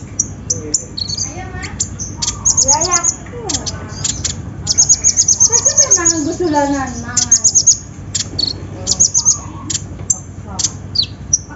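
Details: Olive-backed sunbird (konin, kolibri ninja) lure track played to get a reluctant bird singing: very high, thin rapid trills of about eight notes a second, in repeated bursts, over lower whistled and warbling phrases from other birds.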